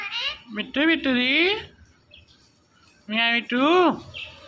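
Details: Indian ringneck parakeet talking and mimicking words: two bursts of nasal, voice-like syllables with wavering, rising-and-falling tones, separated by about a second of quiet.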